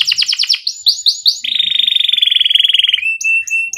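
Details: Canary rolling song with pauses, aimed at encouraging young canaries to sing. Fast downslurred chirps and upward sweeps lead into a long, even, rapidly pulsed trill, then a steady lower tone and short high notes.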